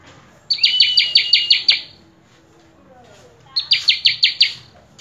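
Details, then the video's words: Prenjak kepala merah (common tailorbird), a prized bird in full, lively song: two loud bursts of about seven sharp, high, evenly spaced notes, separated by a quiet gap of about two seconds. "Prenjak Kepala Merah Gacor Full isian"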